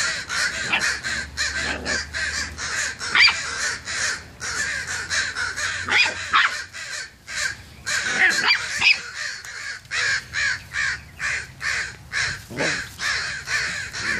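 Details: Group of crows squawking around a downed crow, raising an alert, while dogs bark nearby. Harsh, hoarse caws repeat in rapid, overlapping bursts about twice a second, with short gaps and steady rough background noise throughout.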